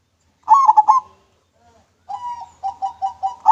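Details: Local zebra dove giving clear manggung song, used as a lure: three throaty rolled coos, then after a pause a drawn-out note followed by a quick series of short, even notes.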